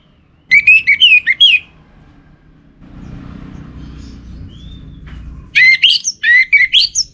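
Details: Orange-headed thrush giving a lure song used to stimulate other kept songbirds. Two bursts of rapid, varied whistled phrases with sliding and warbling notes are separated by a few seconds of low background rumble.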